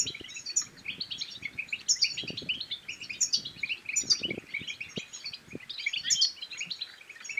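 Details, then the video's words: Goldfinch song played to excite other goldfinches into singing and mating: rapid, rolling twitters punctuated by bright high chips about once a second, dull thuds beneath. "بتبتات الحسون بتبتة تنطق اي حسون كان صامت سيغرد بتأكيد"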